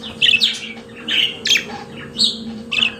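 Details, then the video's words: Pet budgerigars singing, a series of short bright chirps and warbled notes in bursts about every half second to a second, with a steady low hum underneath. "Periquito Australiano de Estimação Cantando Som de Pássaros de Periquitos Naturais"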